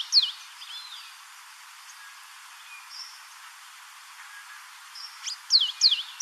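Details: African pied wagtail at Port Alfred, Eastern Cape, South Africa: sharp, high whistled notes sliding downward. One comes at the start and a cluster of three near the end, with faint distant chirps between.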